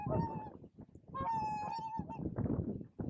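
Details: A whooper swan at Spiggie, Shetland, U.K., July 2013, gives a few drawn-out, nasal honks, one held for nearly a second, over low rumbling and muffled background noise.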